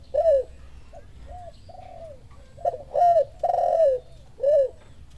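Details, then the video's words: Spotted dove replying to a lure call with repeated low, arched coos; quiet soft notes first, then three strong drawn-out coos and a final shorter one. "Suara pancingan derkuku, tekukur langsung nyahut ikut bunyi"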